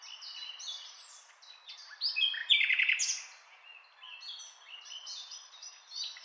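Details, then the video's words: A common nightingale sings varied high phrases, peaking in a loud burst of rapid, throaty repeated notes, with softer chirps and twitters before and after. "Nightingale , rossignol"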